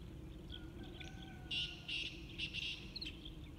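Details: Loud, clipped high-pitched notes from a Sind woodpecker at Minab, Iran, 15 April 2019, come in quick bursts in the second half. Thin whistles sound earlier, a male Black Francolin sings behind, and a low hum lies underneath.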